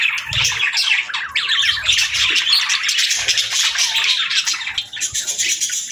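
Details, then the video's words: Budgerigars chattering nonstop, a thick mix of warbling chirps and harsh short squawks, evenly loud throughout. "Budgie Chirping Sounds"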